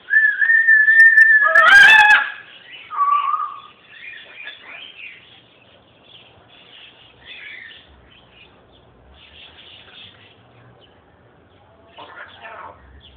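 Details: Pet macaw at home: a steady whistled tone near the start breaks into one loud, harsh, broadband squawk around two seconds. Fainter chirps and murmuring sounds follow through the rest of the recording.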